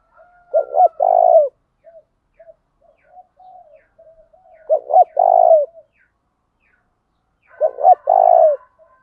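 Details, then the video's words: Spotted dove kept as a lure, cooing in the 'thổ đồng' style to push rivals to fight: three regular phrases roughly every three and a half seconds, short-short-long coos, with small soft notes in the gaps. "tiếng chim cu gáy mồi giọng thổ đồng, cu gáy thổ pha đồng thúc đấu"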